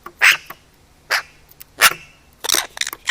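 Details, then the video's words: Eurasian magpie close to a camera set near its food, giving short harsh barking calls like a little dog: four broadband bursts roughly every 0.7 seconds, the last one broken into a rapid stutter. "Pie curieuse - Magpie close-up - WITH SOUND !"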